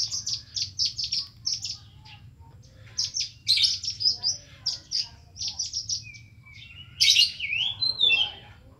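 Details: Kolibri ninja in full, busy song: rapid series of sharp high chirps in clusters, then a rising slurred whistle and scratchy bursts toward the end, over a faint low hum.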